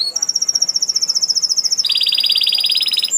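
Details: Canary singing vigorously: a long, even, high rattling trill of rapid repeated notes, then a switch to a lower, denser, buzzier trill with the same fast pulse, loud throughout.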